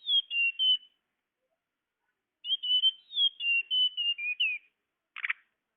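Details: Tledekan bird lure call: strings of high, sweet whistled notes wavering and dropping in small steps, a pause, then a longer phrase ending in a short rasping buzz; clean, quiet background.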